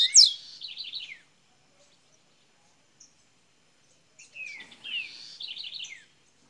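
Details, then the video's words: Double-collared seedeater, Minas Gerais, opening its golinha song: a sharp high note leads into a buzzy trilled phrase, silence, then a repeated phrase of falling slurs and rolling buzzy notes. "coleira golinha de minas gerais abrindo canto"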